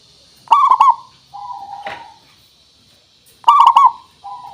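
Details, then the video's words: Zebra dove, local perkutut used as a lure to get birds singing: two rolling, stuttering coo phrases, each followed by a softer drawn-out coo, and a brief click between them. "Suara Pancingan Burung Perkutut Pikat Paling Bagus Supaya Bunyi"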